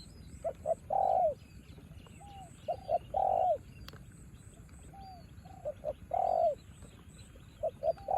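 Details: In the rain, a decoy spotted dove duels with a wild dove. It gives low, hollow coo phrases, two quick notes and a longer falling coo, about every two to three seconds, with fainter distant coos.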